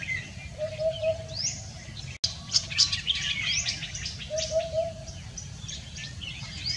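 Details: Common hoopoe heard at dawn in dense fog on Sunday, 31 January 2021: two low triple-hoot phrases about four seconds apart, with loud chattering, chirping songbirds above and a low rumbling background.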